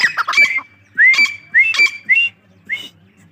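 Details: Grey francolin (Francisco pondicerianus), call.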